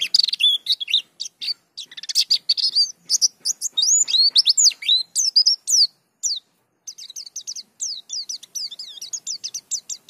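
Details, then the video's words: White-eye of the pleci dakun kind giving a long gacor rolling song, unloading its isian repertoire: fast, high, thin whistled chirps and swoops in packed runs, a brief gap midway, then rapid repeated short notes. "Pleci Dakun Ngerol Gacor Bongkar Isian"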